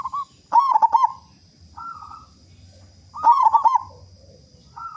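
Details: Active, big-voiced local zebra dove used as a singing lure for other doves: two loud stuttering rolling coos about three seconds apart, with softer, slightly higher coo phrases between them.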